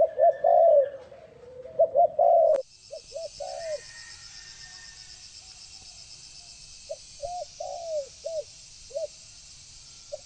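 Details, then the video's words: Spotted dove used as a decoy to lure wild birds, cooing in loud low phrases of short notes and a longer hum. It is then heard more faintly in short coo groups beneath a steady high insect drone. "Tiếng chim cu gáy gù gọi hay cực chất dùng kích bổi gù kich mồi"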